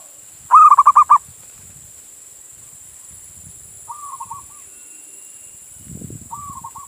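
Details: Male zebra dove, local Indonesian bird, calling a female, used as a lure to draw other doves: a quick burst of six rounded coos, then two quieter, shorter coo phrases several seconds apart, with faint low rumbling between.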